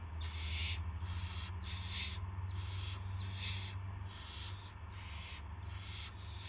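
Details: Owl at 8 PM on 18 March 2016, gopher brought in: short, clipped hissing screeches in a steady run of about seven, each half a second, over a heavy droning hum.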